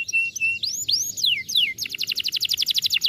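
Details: Canary in song, meant to restart a silent canary: a few arching and falling whistled notes give way to a fast, even trill of bright repeated chirps.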